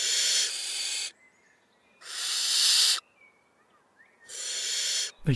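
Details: Five big barn owl chicks of different sizes in an attic nest in June, filmed by day while the parents hunt. They give long, harsh, breathy hisses of one to two seconds each, about every two seconds, with faint thin squeaks between.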